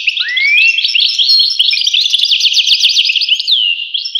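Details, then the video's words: European goldfinch song opening with a rising whistled slur, followed by a rich jumble of rapid chirps and twitters and a long falling whistle near the close. "voice carduelis- Tweets the birds. Tones a bird Goldfinch. voice goldfinch-"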